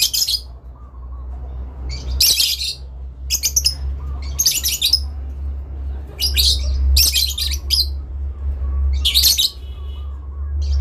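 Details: Adult lovebirds calling back and forth to each other with long chattering: sharp, high squeaky bursts every one to two seconds over a steady low hum.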